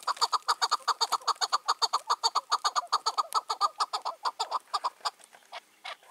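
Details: Wild Chukar partridge, five or six years old, released after capture two years earlier, calling on a June 2023 evening: a rapid steady series of loud chuck notes that fades and breaks apart at the end.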